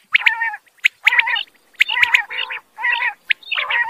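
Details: Quail, male and female, uttering repeated harsh, rasping, gargled phrases, each opened by a sharp high note, about every three-quarters of a second.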